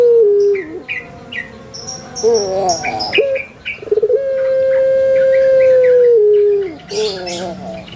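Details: Puter pelung Barbary dove kept in Indonesia, cooing deeply: a long note, a rolling gurgled phrase, then a very long, level drawn-out coo of about two seconds that drops at the end. Other birds chirp around it.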